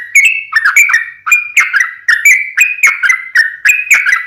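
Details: Long rapid lure song of a sooty-headed bulbul, used to make other bulbuls respond at once: a steady stream of sharp-onset whistled notes, each slurring up or down, about three per second.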